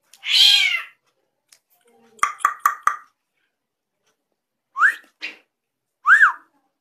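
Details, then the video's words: Drongo with unusual sounds: one harsh mew, then a quick run of four short whistled notes, followed by sharp rising-and-falling whistles. "SRIGUNTING KRANTIL SUARA ANEH"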